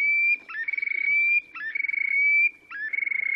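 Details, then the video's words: Terek sandpiper in display, Oka Nature Reserve, Russia, 30 April 2019: long, level, clear whistled notes, each opening with a quick stuttering rattle, given three times in a row against a quiet background. "Мородунка Xenus cinereus, токовые крики / Terek sandpiper song"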